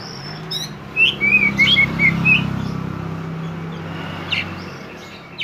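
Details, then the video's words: Kacer poci oriental magpie-robin, song used as a lure for untrained birds: a quick burst of six or so thin whistled notes, then mostly a low hum with one faint later chirp. "kacer poci gacor on konslet"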